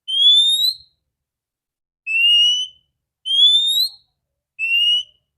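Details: Female Oriental magpie-robin (kacer) whose clear voice is used to make males sing. Four drawn-out pure whistles, alternating a rising note and a level note, about one to two seconds apart.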